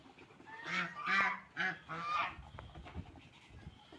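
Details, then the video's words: Ducks eating food and drinking water; four loud, nasal honking quacks in a rapid series over about two seconds, then quieter background noise. "Ducks Eating Food and Drinking Water"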